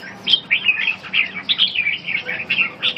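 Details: Red-whiskered bulbul practising ché song during stamina-recovery training, with a steady stream of quick bright chirps and slurred whistles, notes packed closely and rising and falling without pause.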